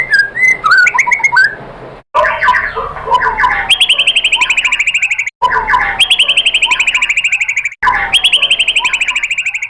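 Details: Song of a white-rumped shama, played to spur other shamas into singing: brief whistled phrases give way to loud, harsh, rapidly repeated buzzy rattling notes, broken by abrupt short gaps.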